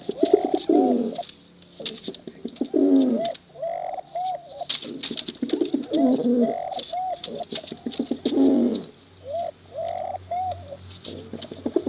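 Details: Male and female pigeons of a contest line cooing, for luring young birds: bursts of low, throaty rolling coos alternating with short arched higher notes, overlapping callers, with frequent clicking taps between phrases.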